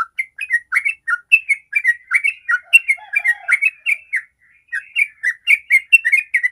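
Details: Sooty-headed bulbul in long 'ropel' song, meant to prompt other bulbuls to sing: rapid whistled phrases with a few lower, softer notes mixed in, a brief break, then the quick run resumes.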